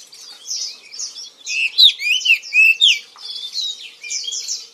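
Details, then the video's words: Indonesian kacer or oriental magpie-robin singing: soft high twitters building to a loud middle passage of clear slurred whistles, rising and falling sharply, then easing back into quieter chatter. "KICAU BURUNG KACER YANG MERDU || MAGPIE ROBIN VOICE"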